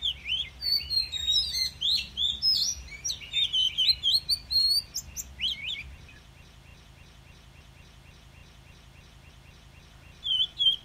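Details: Oriental magpie-robin giving its wild 'kéo thuocs lào' song, meant to excite listless birds: six seconds of tumbling, varied whistled phrases over low background hum, then quiet before a brief whistled return.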